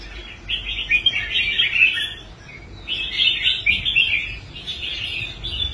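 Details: Caged red-whiskered bulbul performing on its stand after rehabilitation: two bright, bubbling warbled phrases of about one and a half seconds each, separated by a short gap.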